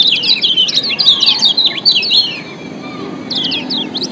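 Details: Kecial kuning white-eye, Lombok, ciak call combination to stir lazy birds into singing: a bright cascade of fast, high zigzag chirps for two seconds, a short lull, then a fresh burst of tweets.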